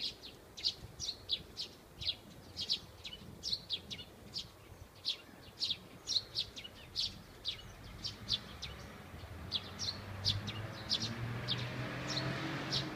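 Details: Eurasian tree sparrows singing in a maple tree at an elementary school chirp in short bright notes, roughly three per second, over a steady outdoor hum that grows louder toward the end.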